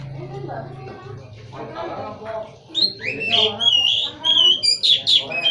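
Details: Kacer, or Oriental magpie-robin, in song: background voices at first, then a rapid run of bright, sliding whistles and sharp chirps, several notes per second, dominating the last half.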